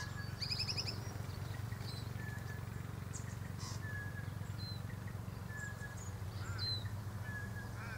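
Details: Grey fantail in an Aleppo pine tree, giving thin high chirps, a short fast trill near the start, then scattered brief whistled notes, over a constant low hum.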